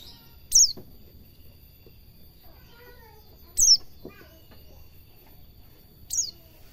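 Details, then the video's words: Training recording of a white-eye (pleci) in the ngalas cingjuitan style for cage birds: three high, thin falling notes about three seconds apart, with faint softer chirps in between. "Suara burung pleci belajar ngalas cingjuitan mantap!!"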